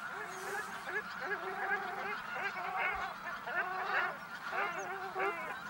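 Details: Geese flying from feeding fields to a lake for their daytime rest, giving loud nasal honks with layered harmonics, overlapping and repeated irregularly, several birds calling at once over a hiss of background noise.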